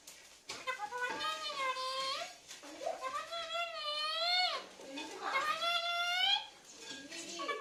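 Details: Three long, sing-song phrases from a talking parrot, each rising then falling in a smooth harmonic arc. Short pauses separate them, and a shorter utterance follows at the end.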